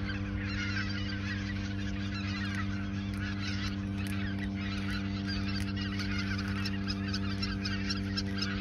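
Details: Geese in the Ochsenmoor nature reserve, autumn 2022, a few days before migration to the south; constant clamour of many honking birds with occasional sharper calls, and a low steady hum.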